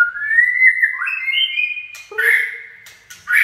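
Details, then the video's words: White-rumped shama 'chạy cầu' song: smooth rising and stepping whistles held for about two seconds, followed by a loud warbled burst with a low note and a final bright flourish. "Chích chòe lửa chạy cầu shama run"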